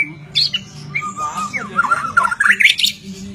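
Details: Song of a white-rumped shama: a short run of clear whistled notes, some slurred downward, building into a fast, bright, rising flourish over a low background hum.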